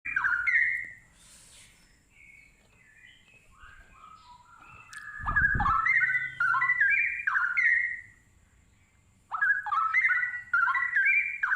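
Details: Straw-headed bulbul, locally called cucak rowo, singing loud, rich bubbling phrases of rapid whistled notes that step up and down, in bursts separated by a quieter stretch of softer notes.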